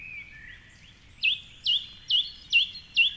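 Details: At 4.45am along the Curragheen River in Cork City, Ireland, a male song thrush sings from a tall treetop in the dawn chorus: soft thin notes, then one loud hooked whistle repeated five times, roughly every half second.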